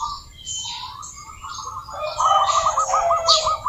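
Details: Zebra doves of the local strain in full song, used as a lure to get doves singing. A soft, quiet start with higher chirps, then a loud rapid staccato cooing trill in the second half.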